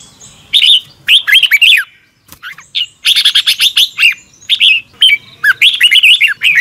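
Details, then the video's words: Morning practice song of a red-whiskered bulbul, sung in the 'double twisted voice' style as lure-bird training sound: dense runs of quick, twisting whistled notes, broken by brief gaps. "Luyện chào mào hót sáng 2022 - Hót hay nhanh căng lửa | Ép bổi Giọng xoắn kép"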